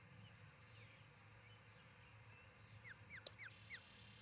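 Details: Osprey at its nest beside a field in Charlo, Montana, filmed by a nest camera on 1 July 2018. A breeding pair nests there. Four sharp, downslurred whistled chirps come in quick succession near the end, over a steady low hum and faint background noise.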